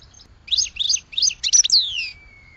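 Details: Short goldfinch phrase: a few quick, bright twittering notes ending in a long, smoothly falling whistle.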